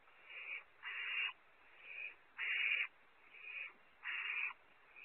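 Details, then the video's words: Young barn owls at a nest cam in California competing over prey, one owlet holding it; repeated broad, noisy screeching hisses roughly every second, six bursts with short quiet gaps. "Competition for prey, owlet #1 keeps it"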